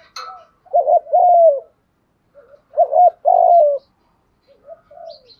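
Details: Cooing of a spotted dove used as a decoy call to attract other doves, two loud phrases of a short stuttered double note then a drawn-out sliding coo, framed by faint soft introductory notes and a brief high chip.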